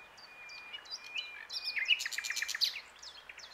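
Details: Common nightingale singing from its branch at the Plan d'eau du Breuil, Bourbon-Lancy: high, varied whistled phrases breaking into a fast, rattling series of repeated notes, over a soft background hiss.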